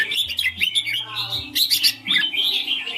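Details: Caged red-whiskered bulbul with a brief clear ring song, looping whistled notes and a quick burst of sharp clicks, then a descending whistle, faint low humming below.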